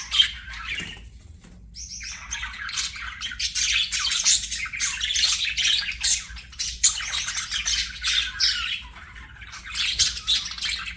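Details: Pet budgie chirping: an opening chirp, a short pause, then long stretches of continuous scratchy, buzzy warbling chatter with faint low hum.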